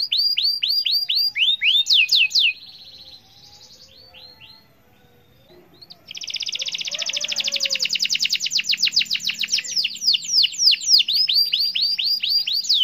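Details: Canary in full 'gacor' song, meant to set other canaries singing: bright whistled down-slurred notes, a quiet pause, then a long, very rapid buzzy trill followed by more sweeping whistles.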